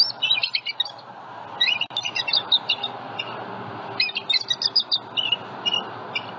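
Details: Bald eagles at a live nest camera in Southwest Florida, morning of 27 February 2020, a nest holding eggs and eaglets while a juvenile flies over. Three bursts of high, staccato chattering notes, each run quick and clipped, separated by brief pauses.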